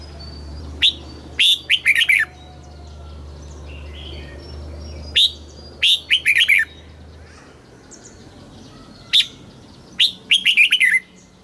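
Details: Thai caged red-whiskered bulbul in the southern master song style, used to stimulate birds and train youngsters: three short bursts of bright, slurred whistles about every four seconds, with a steady low hum and soft chatter between.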